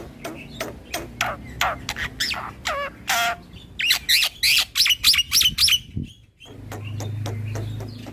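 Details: Head-bobbing black-winged starling singing continuously to rile other starlings: harsh chattering clicks and rattles, then a burst of loud slurred whistles, then a pause with a low droning hum behind.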